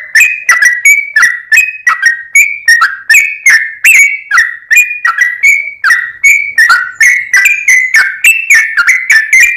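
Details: Sooty-headed bulbul song used as a lure: a fast run of short whistled notes around the same middle pitch, each opening with a sharp click and sliding slightly, about three per second, loud and echoing.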